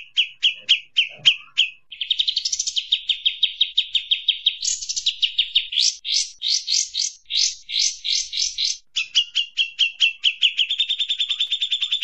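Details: Kapas tembak bird, ombiyokan style, used as tutor sound for oriental magpie-robins: fast bright chirps, then rapid buzzy chattering runs, a burst of rising rolled notes, and a steady trilled ending with no background noise.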